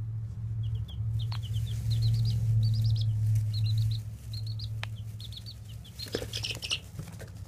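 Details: Baby chicks giving short, high peeps in scattered groups of two to four notes over a loud steady low hum, with rustling and a burst of denser chirping near the end.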